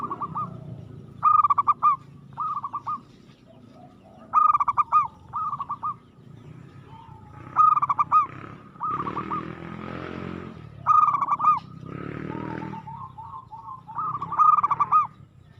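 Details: Local zebra dove sings aggressively, repeating loud bubbling coo phrases about every three seconds. Fainter coos fill the gaps, and two bursts of hissing noise break in near the middle.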